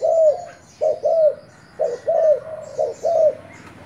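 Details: Thai spotted dove calling as a decoy bird: short cooing phrases of a brief note followed by a longer arched coo, repeated about once a second, with faint high chirps behind.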